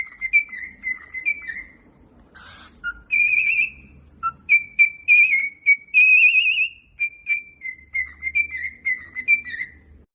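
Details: Indoor pet cockatiel sings a chain of pure whistled notes, broken by a brief raspy screech, then sustained warbling whistles and rapid repeated chirpy whistles, some gently rising and falling, with a low hum in the background.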